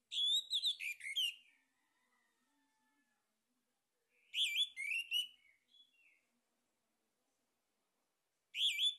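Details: Male orange-headed thrush (anis merah) singing as a lure to stimulate other birds to sing: three loud bursts of rapid, varied whistled and chattering phrases, each lasting about a second or two, separated by several seconds of silence.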